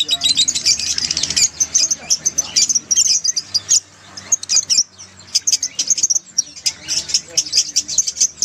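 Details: Crowded lovebird chorus used as a lure for a lovebird gone quiet: continuous high, squeaky chattering and rapid chips, briefly easing midway before resuming densely.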